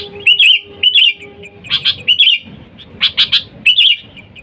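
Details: A sooty-headed bulbul in full voice calls to wild companions, recorded as bait for luring. Twin short warbles open, then clicky double notes and a final bubbly phrase; a faint steady tone hums underneath early on.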